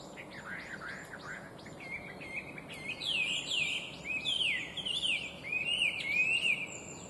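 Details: Chinese hwamei, named as one of the worst invasive alien species, pouring out bright complex song: soft opening notes, then loud slurred whistles sweeping down and up, repeated phrase after phrase, with background hiss.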